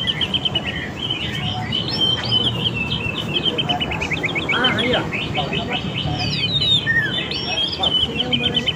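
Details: Oriental magpie-robin lure song for catching wild and young birds: long series of quick, repeated chipping whistle notes over steady background hiss and low rumble.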